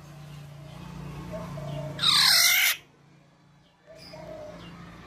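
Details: A tame female black-naped oriole gives a single loud, harsh, rasping squawk lasting under a second, with faint whistled notes before and after and a low background hum.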